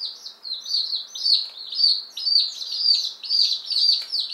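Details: Ten Appenzeller Spitzhauben with five White Crested Blue Polish chicks, one day old, delivered May 19, 2015. High, shrill peeps sliding downward in a steady pulsing rhythm, several chicks calling together.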